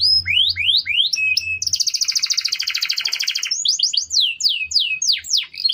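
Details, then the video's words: Canary song used as a master recording to train other birds: rising swept whistles, then a fast buzzy trill of rapid repeated notes, then more falling and rising whistles; faint low hum underneath. "Masteran burung kenari"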